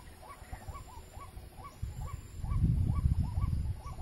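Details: Ruak-ruak (white-breasted waterhen) calling during bird trapping, giving a steady string of short upswept croaks, roughly four per second, as loud low rumbling builds in the second half.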